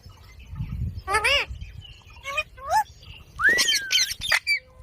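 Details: Ring-necked parakeet making harsh, wavering squawks and shorter nasal calls, then a clear, long whistle that rises and slowly falls, with low rumbling noise early on.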